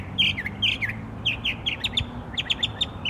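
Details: Northern mockingbird singing in Savannah, Georgia, on 12 October 2024: quick bursts of high, chirpy notes, some dropping in pitch, delivered rapidly with brief gaps, over a low background hum.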